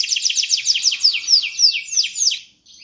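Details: Canary singing vigorously: a steady stream of quick downslurred chirps, about eight per second, then a brief pause and a soft final note.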